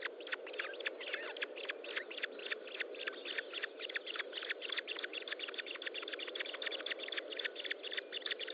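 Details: Ospreys at a nest during feeding, 25.06.2012, 10:58: a continuous, fast stream of strong high chirps, downslurred and evenly spaced several per second, over a constant hissing background.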